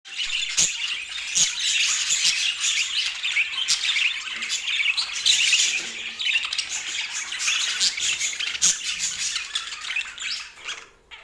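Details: Budgerigars chattering continuously, a dense wash of overlapping high chirps, warbles and squawks from several birds with no pauses across the stretch.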